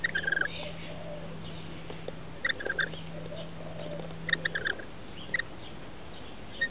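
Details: Rainbow lorikeet chicks, 21 and 17 days old, in a nest inside a house roof, give short bursts of rasping, squeaky begging calls as their parents arrive to feed them. There are four or five bouts over a low electrical hum.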